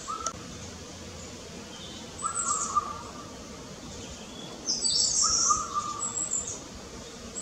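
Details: Recently fledged juvenile long-tailed tit, just out of the nest, foraging restlessly between high and low trees; very high thin calls in short bursts, with a few lower drawn-out buzzy notes and a soft background hiss.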